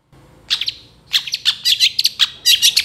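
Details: Long-tailed shrike in lively gacor song with tembakan fill, meant as a masteran training recording: a quiet start, then dense bursts of sharp, high chirps and trills that come faster toward the end.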